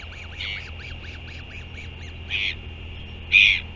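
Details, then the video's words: Royal albatross sky calls at a New Zealand nest at 4:29 PM on 24 February 2023 as the mother feeds her chick: a rapid run of high chattering notes, about six a second, broken by three harsh bursts, over low wind. "Royal Albatross~Sky calls"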